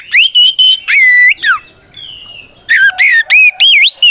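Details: White-rumped shama fighting song, used to provoke other shamas into answering: loud, varied whistled phrases, clear pure notes, rising and falling slurs, a quieter buzzy passage, then a fast sequence of ringing whistles.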